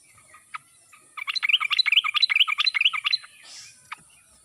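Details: Yellow-vented bulbul in a wild, forest-style voice, used as a lure to make silent captive birds respond; a rapid bubbling run of chirpy, warbled notes lasting about two seconds, with a single note before and after.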